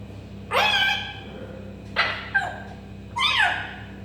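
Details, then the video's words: Meow-like mimicry from a pet African grey parrot copying a cat, three harmonic, falling cries about a second and a half apart, the middle one broken into short bursts, with a faint hum beneath. "كاسكو يقلد صوت القطة و يصفر- Parrot making cat sounds"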